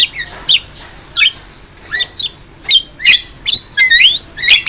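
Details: Softer Javan myna song from a master recording for training songbirds: scattered chirps and short rising whistles, spaced irregularly, building into a quicker cluster of sweeping whistled notes near the end.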